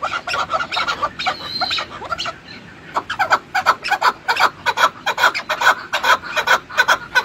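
A chukar gives harsh, clucking chuk notes that build after a brief pause into a steady, rhythmic series of about two or three notes a second.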